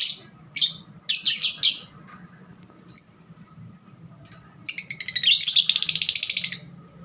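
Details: Pet lovebird giving a few scratchy squawks and a single chirp, then a long rapid run of rasping twittering notes; a low hum sits in the background.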